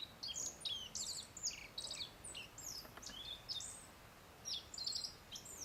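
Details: Wild black-faced bunting perched about three metres away in Settsu Gorge, northern Osaka, Japan; thin, high chirps and short tweets come in quick, irregular clusters, with a steady hiss of background noise.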